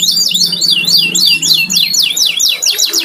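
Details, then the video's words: Pet canary kept at home, singing a fast run of swooping whistled notes repeated about three to four times a second, with a faint low hum in the background. "burung kenari buat nemenin ngopi"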